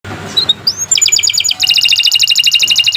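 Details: Singing canary, kept as a tutor bird for young or silent canaries, delivers fast rhythmic trills of high repeated notes after a rising whistled slur, the tempo quickening into a dense buzzy rattle.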